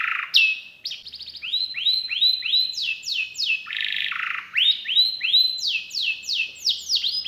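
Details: Canary song mixing rising whistled upsweeps, a short buzzy harsh burst, and repeated descending whistled notes in a lively, varied sequence.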